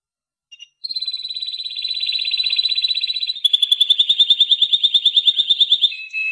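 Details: Timbrado canary (Serinus canaria) singing: a long, even trill of rapid notes held steady, then a faster, brighter trill of pulsed notes repeated about three times a second, ending in a short lower phrase.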